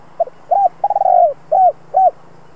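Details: Spotted dove in the two-ending 'giọng đồng' style, kept to train decoys, sings one full phrase: a double pip, an arched coo, a long stuttering coo dropping in pitch and two rounded coos.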